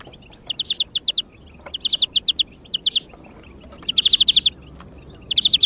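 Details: European greenfinch song played as a lure to motivate other birds: quick trills of clear chirping notes in runs of four to eight, repeated with short pauses, over low background noise.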